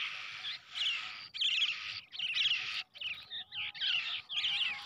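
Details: A Brown shrike chick, reared by hand from the egg, begs almost continuously. Loud grating, buzzy calls come in long bursts separated by short pauses over a faint background hum.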